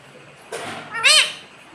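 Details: Pet parrot producing a single bright, arched syllable after a brief breathy noise, with little else audible.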